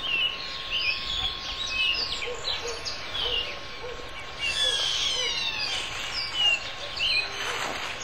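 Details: Austral thrush (Turdus falcklandii) song: varied, high whistled and chirping phrases in a busy bird chorus. A low soft note repeats about once a second beneath, with a faint steady hum.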